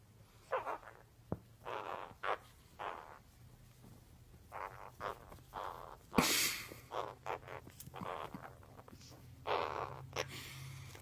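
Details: A pet male Hahn's macaw (red-shouldered macaw) indoors, exploring a "cave" he found, gives a string of short, raspy, chattering "talking" bursts every second or two, some harsher like squawks, over a low steady hum.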